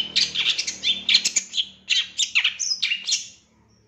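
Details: Long-tailed shrike delivering a training song full of 'isian tembakan' phrases: about three and a half seconds of quick chattering and down-slurred whistles with a faint low hum behind, fading to quiet.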